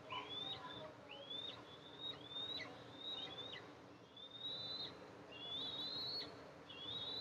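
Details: Eastern imperial eagles at a nest with two eaglets as the mother arrives to feed them, nest camera, 14 July 2024: thin, high whistled notes that slur upward then hold, repeated roughly every second over steady background hiss.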